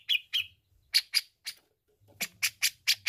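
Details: Grey-cheeked bulbul in full song, played as therapy for untrained birds: harsh buzzy notes in two pairs, then a quick run of five rasping notes after a short pause.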